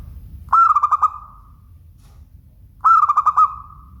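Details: Local Indonesian zebra dove (perkutut) singing: two clear phrases of rapid, pulsed, bubbling coos at mid pitch, each about half a second long, separated by a two-second pause over a quiet, low background hum.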